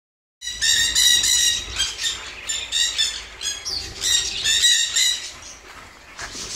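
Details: Pet red factor Jenday conure threatening its owner as an intruder: a harsh, raspy squawk run of about six seconds, loud rough bursts pulsing several times a second with little pause between them, fading slightly near the end.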